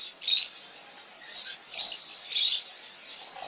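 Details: Wild birds singing in nature; bright high chirps in short bursts, about three loud phrases spaced under a second apart, with softer twittering between.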